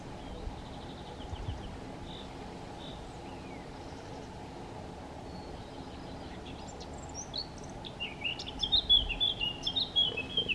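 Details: Eurasian blackcap (Sylvia atricapilla) in Chełm, Poland, 17 May 2022, singing in pauses between foraging: soft scattered notes, then a loud, rich, fluty warble near the end, over a steady low hum.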